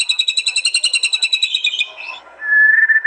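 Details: Murai batu singing at a song contest in East Java, recorded on a Realme C11 phone, in fierce 'tembakan' style. A fast high rattling trill fades to soft chatter, then a loud steady whistled trill.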